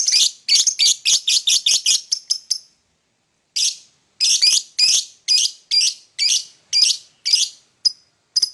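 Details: Shrill lovebird chirps in the morning, a quick string of about a dozen piercing notes, a second of silence, then slower, evenly spaced harsh chirps.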